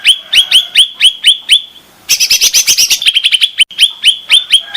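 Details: Lure and therapy sound of the cucak rante bulbul: evenly spaced bright upslurred chirps, a brief pause, then a dense fast chatter of clicks and notes, ending in more rising chirps.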